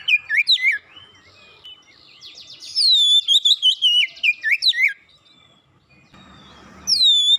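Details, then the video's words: Lured once, an Oriental magpie-robin sings quickly and vigorously, with twisting whistled notes, a buzzy rattling series overlaid by loud descending whistles, a pause, then a fresh high whistle beginning. "sekali pancing Kacer macet bunyi cepat gacor"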